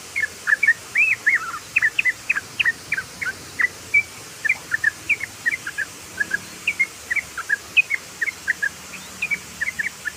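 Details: Sooty-headed bulbul (trucukan) delivering fast 'ropel' song, a long run of brief, bright chirped notes in quick clusters over ten seconds, with faint low background hum.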